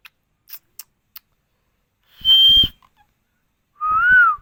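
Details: Talking green parrot in India: a few soft clicks, then a high flat whistle with a low raspy undertone, and later a lower arched whistle that rises and falls.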